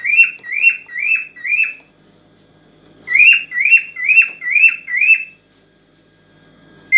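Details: Aroused cockatiel singing to a female to prompt mating: four steady whistled notes, a pause of about a second, then five more in the same even rhythm.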